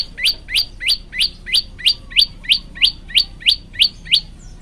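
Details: Olive-backed tailorbird singing gacor for a masteran track, rapid steady chirps slurring sharply upward, around three each second, crisp and evenly spaced from start to finish.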